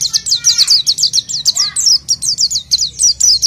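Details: Rhythmic oriental white-eye song used to lure other birds: an even series of high downslurred chirps repeated several times per second, a few lower notes mixed in, over a quiet low background.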